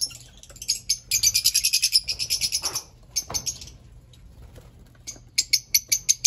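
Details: Rapid series of squeaky, high chirps from Fischer's lovebirds, about ten quick pulses in a row, then a quieter gap and a final burst of evenly spaced shrill notes.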